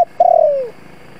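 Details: Spotted dove kept as a decoy to stir wild doves, giving a single drawn-out coo that slides gently downward and fades over about half a second, with quiet background.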